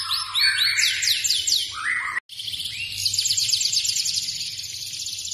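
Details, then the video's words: F2 Yorkshire canary singing energetically: high, fast trills and chopped whistled notes, a brief lower run of notes, a short break, then a long sustained buzzing-rattling trill to the end. "Kenari F2 Yorkshire Gacor lagu istimewa"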